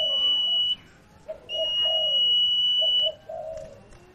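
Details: Sirtu cooing played as a lure for a silent bird: repeated low paired coos beneath loud, long, steady high tones that start and stop abruptly.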